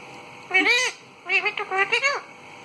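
A parrot gives two bursts of rich, wavering, speech-like calls: one drawn-out phrase, then three or four quick linked syllables, in a quiet room.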